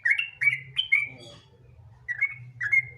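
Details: Sooty-headed bulbul song used as a lure to make other bulbuls sing: short bubbly whistled phrases around mid-high pitch, two bursts of three notes separated by a pause, with a low hum beneath.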